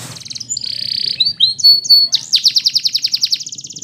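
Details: Belgian canary singing a training song for canaries: a high steady whistled note, then slurred whistles sliding down, ending in a fast, regular rolling trill of clipped high notes.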